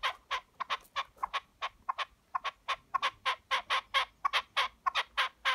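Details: A wild red-legged partridge visiting a farm's chicken enclosure "talks" with harsh, chuffing notes, about four a second in an uneven, rhythmic run.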